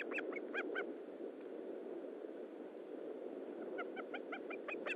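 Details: Osprey at the nest at feeding time, morning of 19 July 2012: short runs of sharp, rising whistled notes at the start and end, a quiet gap between, with constant broadband background noise.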